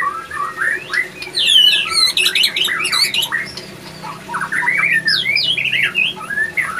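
A male white-rumped shama in breeding condition sings a rich, fast stream of varied whistles, slurred notes and chattering trills, mostly high-pitched, with a faint low hum beneath.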